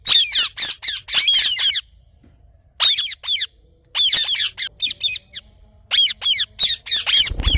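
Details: Rose-ringed parakeet, also called ringneck parrot, calling in the morning: bursts of harsh, shrill squawks in rapid runs, with short quiet gaps between bouts and a faint low rumble at the end.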